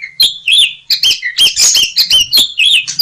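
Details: Asian pied starling singing a rich, varied phrase from a training recording: fast jumbled chirps, squeaky whistles and harsh notes run together at an uneven pace.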